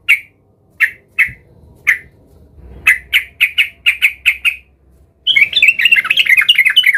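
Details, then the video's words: Agitated yellow-vented bulbul seeking a rival, gives several spaced harsh squawks, then a quicker run of about nine clipped notes, and finally bursts into a fast, tumbling warbled chatter. "Trucukan gacor EMOSI Mencari Lawan"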